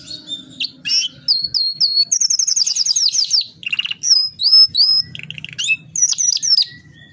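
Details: Canary singing a long varied song as a training model for other canaries, mixing clear whistled notes, a fast high rattling trill, buzzy low bursts and sliding whistles.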